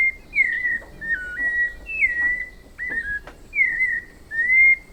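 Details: Forest-dwelling White-necked thrush of Brazil delivering a run of six clear whistled phrases, some sliding down, some stepping, one rising at the end, with short pauses and a couple of faint clicks between.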